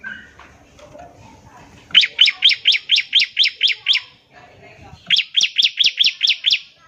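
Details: Trilling bar-winged prinia, ngebren style, used to get other prinias to sing. A long series of nine loud, even, sharply struck notes, then after a short break seven more, with faint chatter at the start.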